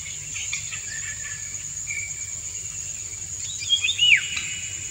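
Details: Male Indian golden oriole singing its courtship song while the female dances; soft whistles early on, then two loud descending fluty slurs near the end, against a continuous high-pitched insect background.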